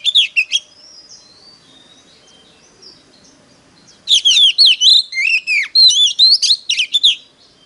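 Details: Competing Oriental magpie-robin used to call in wild birds: a few sharp notes, a long quiet pause with faint distant sounds, then a rich rapid stream of looping whistles, slurs and trills.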